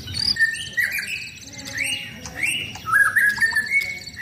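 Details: Caged white-rumped shama sunned outdoors as routine care to keep a contest bird healthy and fit. Rich song of loud whistled phrases, some sliding upward, others steady, with faint twittering above and background hiss.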